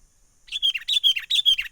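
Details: Wild sooty-headed bulbul lure call for bird trapping, a rapid run of bright, warbling chirps starting after a short silence and continuing steadily to the end.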